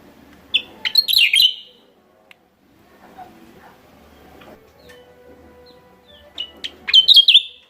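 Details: Lure call of a Javan myna, West Java: short clicks and sharp notes build into a harsh, grating chatter; the same phrase returns after a quiet gap of about five seconds.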